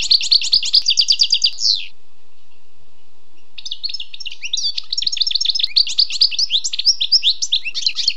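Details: Wild European goldfinch song: a fast, rattling series of high twitters, a two-second pause, then a longer tumbling stream of sharp chirps and trills.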